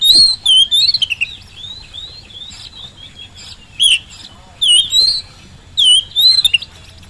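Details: Oriental magpie-robin song used as a lure to coax reluctant birds to answer, at home or in the field: bursts of loud whistled, warbling phrases around a steady high note, rising and falling, separated by quieter pauses.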